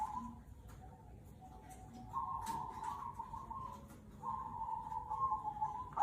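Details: A local black cemani kolbuntet zebra dove, used as a lure bird, gives long sustained mellow cooing phrases at a steady low pitch, with faint background noise.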